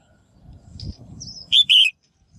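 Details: One loud paired call from a female bird, given to stimulate males to sing: a buzzy chip followed by a burred trill. A faint high whistle comes earlier, over soft low rumble.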